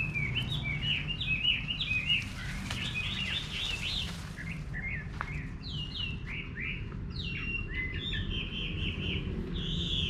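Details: Chinese hwamei singing in a countryside garden in Vietnam: a rich, varied stream of whistled, warbling phrases with quick slurred notes and short pauses, over a low rumbling background.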